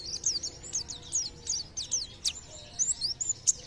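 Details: A white-eye sings, a sound held to tempt nearby birds into song: faint, high slurred chirps repeated through a hissy, noisy background.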